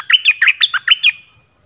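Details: Orange-headed thrush decoy song, fierce and strong: about seven crisp, bright whistled notes in a quick even series, each sliding upward, fading into quiet at the end.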